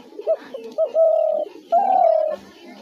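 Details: Spotted dove trap-lure calling: a few short, soft introductory notes, then two long, steady, slightly falling coos, the second following after a short pause, in a quiet setting.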